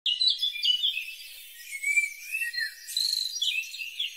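A warbling white-eye sings a rapid, high, twittering warble of thin tumbling notes that rise and fall through the whole stretch.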